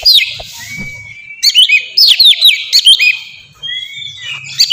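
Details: Oriental magpie-robin, a kept bird singing in an open, clear style used to lure and train other birds: loud high whistled notes and slurred swoops with rapid chirps, interrupted by short pauses and faint low background noise.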